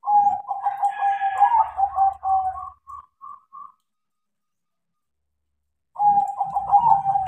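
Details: A crossbred perkutut (zebra dove) singing eagerly after training: a long rippling cooed trill followed by three short separate coo notes, silence, then another rolling trill; low rustling thuds underneath.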